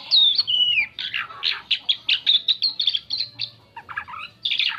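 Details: Song of an Asian pied starling, used to lure other birds: opens with fluty whistled slurs, then a quick run of scratchy chattering notes and squawks, ending in a few rising whistles and a harsh burst.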